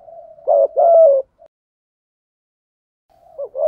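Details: Spotted dove cooing, male and female used as a lure to stimulate other doves to call; a burst of rough, pulsed coos, a pause of silence, then another phrase beginning.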